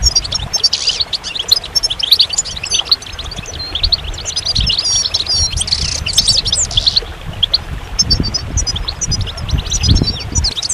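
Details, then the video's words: Goldfinch singing: rapid, high twittering of chirps, trills and short buzzy notes running almost without pause, with a brief lull near seven seconds; a low rumbling hum lies underneath. "Magical Goldfinch Songs"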